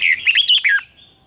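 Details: Red-whiskered bulbul in a competitive singing and voice-training recording, meant for training birds: a short burst of rich warbled notes sliding between mid and high pitch, lasting under a second, then quiet.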